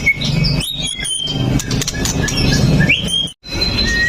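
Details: Murai batu pastol (white-rumped shama) with a sharp fighter delivery, singing to set other males off, phone recording: high steady whistles, brief rising sweeps and clicks, with background rumble.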